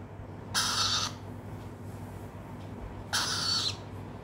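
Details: Pet Swainson's lorikeet chick answering a spoken call: two broad, scratchy screeches of about half a second, spaced two and a half seconds apart, against faint hum.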